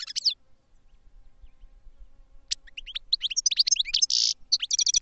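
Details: Goldfinch song: a short chirpy burst, a silent gap, then a lively stream of sharp tinkling notes with a brief buzzy trill, quick and irregular.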